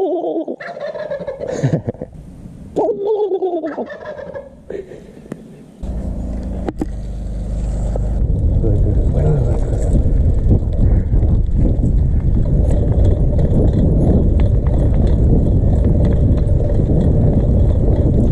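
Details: A turkey in flooded Salinas, California gobbles in quick, rattling bursts, then a steady low rumble of traffic takes over.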